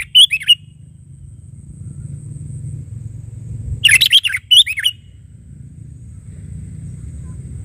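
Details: Sooty-headed bulbul giving short chirpy, slurred phrases: one burst near the start, then a denser cluster around four seconds with a quick follow-up, over a steady low hum.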